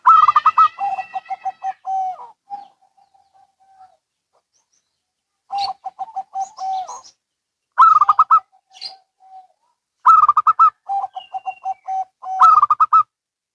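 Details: Zebra doves, local and Bangkok types, trading calls in turn. Loud rolling bursts of rapid notes alternate with softer rows of short coos and long level notes, about every two to three seconds.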